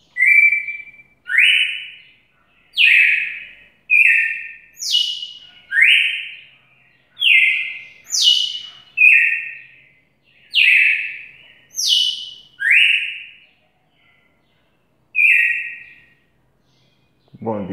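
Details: A Red-cowled cardinal (Paroaria dominicana) sings loud, clear whistled phrases of rising and falling notes, repeated steadily.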